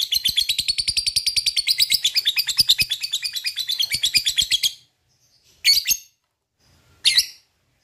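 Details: Lovebird delivering a long 'ngekek' trill to draw song from other lovebirds: nearly five seconds of rapid shrill pulsed chattering, followed by two isolated sharp squeaky calls after pauses.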